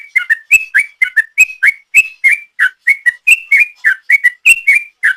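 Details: Long ropel song of a sooty-headed bulbul used as a lure: unbroken rapid string of loud, sweet whistled slurs, some paired closely, rising and falling in turn at roughly four notes per second; clean recording.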